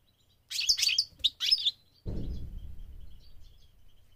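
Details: Goldfinch on migration singing quick, high twittering phrases for about a second and a half, then a broad rushing noise takes over and slowly fades.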